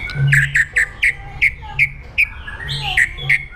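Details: White-rumped shama giving an aggressive song used to train other birds, a series of short strong whistled notes repeated about every third of a second, with a low hum underneath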